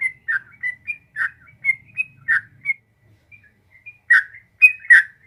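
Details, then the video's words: Yellow-vented bulbul song in 'ropel panjang' style, played to encourage a caged bird to respond: alternating bright upslurred whistles and lower gurgled notes, a short gap, then several louder chortles. "suara burung trucuk gacor ropel panjang jadikan burung trucuk nyaut gacor seketika"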